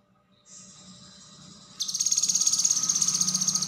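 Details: Common Iora (cucak kinoi) in konslet song, a tutor recording for other songbirds: a soft high hiss, then a loud, very high rapid pulsing trill bursts in and keeps going steadily to the end, over a low background hum.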